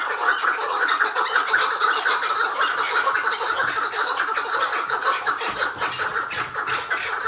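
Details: Chukar partridge kept tied, giving its hıngırma: a continuous coarse chuckle of fast repeated pulses, even in loudness throughout.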